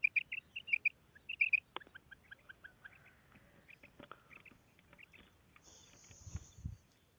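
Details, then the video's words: A female quail gives short, sharp, high notes in quick pairs and triplets, used as a calling sound for quail hunting, then softer repeated notes, with scattered clicks and a brief low rumble near the end. "Female Quail Calling karkari Maadi Ki Awaz"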